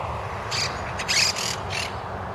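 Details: Monk parakeets in Winter Haven, Florida, repairing a nest that a November storm blew down. They give several harsh, broadband squawks in short bursts over a steady low rumble.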